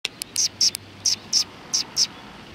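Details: Sparrows gathering at food at a Tenmangu shrine on 20 January 2020: short, high chirps given singly or in quick pairs, about eight in under three seconds, over a low background hum.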